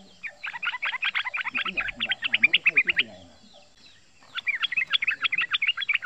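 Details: Young male sooty-headed bulbul under a year old giving the fast 'ropel ngeriwik' chatter used as a lure: dense runs of quick, sharp chirped notes, a pause, then another rapid burst, with low human voices in between.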